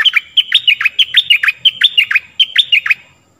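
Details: Stripe-throated bulbul song used to teach young birds and lure wild birds: loud, clear repeated phrases of bright whistled notes dropping to lower chirps, roughly three phrases per second, in a quiet background.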